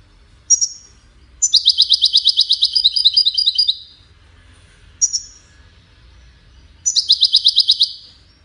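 A European goldfinch sings bright, tinkling phrases of rapid twittering notes, each burst lasting one to two seconds after a short high introductory note.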